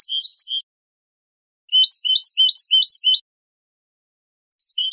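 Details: European goldfinch giving basic song phrases of the style known as mecidas: short bursts of bright, tinkling, high chirped notes in quick rhythmic series, separated by silent pauses.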